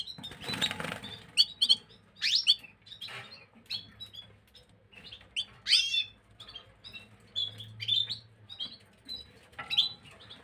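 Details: Gloster canary song, recorded 9 January 2023: a run of short chirps, trills and rising slurred notes in quick, irregular succession, with scattered clicks and a low hum in the background.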